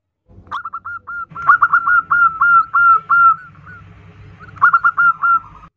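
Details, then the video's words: A female zebra dove calls the male with a hurried chain of short, slurred coos, a dense middle stretch of overlapping notes, then a pause and a final quick run, over low rumbling noise. "perkutut betinagacor memanggil pejantan the female turtledove calls the male"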